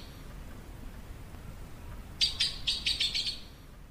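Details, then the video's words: Yellow-billed blue magpie (Urocissa flavirostris) gives a quick burst of about seven harsh, high chattering notes over a second and a half, after a quiet stretch of low background hum. "Yellow-billed blue magpie sounds, gold-billed magpie call"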